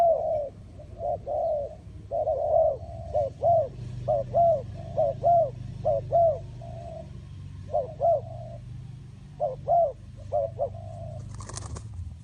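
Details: A long series of soft dove coos from a spotted dove, in short-long pairs that vary in loudness, with a steady low hum and a brief sharp noise near the end.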